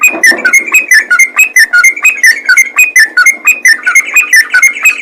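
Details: Bulbul known locally as trucukan singing the rapid ropel gacor way, with bubbling whistled phrases tumbling in quick succession throughout, plus a faint hum.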